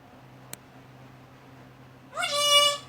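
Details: Talking parrot imitating words indoors: after a quiet stretch with a single click, a loud harmonic, nasal, rising then level voice-like utterance near the end, with faint household hum.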